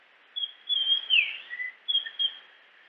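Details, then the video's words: Japanese grosbeak song: clear, high fluted whistles that slide down, then a lower note, after which the phrase begins again, over faint background hiss. "Grosbeak japonês Som de pássaro, música de ave"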